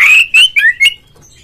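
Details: Loud whistled phrases of an Oriental magpie-robin played to provoke a rival: four strong, slightly rising and falling notes in quick succession, then silence.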